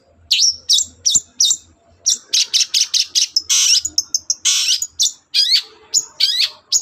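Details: Morning song of a long-tailed shrike, meant to goad other birds into replying. Rapid, varied phrases mix high, thin whistles with rasping bursts and dense chattering runs, delivered almost without pause.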